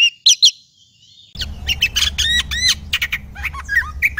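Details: Oriental magpie-robin, a kept songbird in full song (kacer gacor), giving a rapid jumble of sharp whistles, chips and slurred notes after a short quiet gap, over a low background hum.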